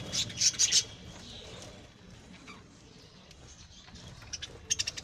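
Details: Pet lovebirds bred at home: a quick cluster of shrill, piercing chirps at the start, a long quiet stretch with faint twitters, then another short burst of sharp high notes.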